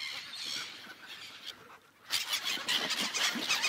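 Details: Gulls on an ice lake: a quieter stretch of distant crying, a brief lull, then a sudden loud burst of many overlapping harsh squeals after two seconds.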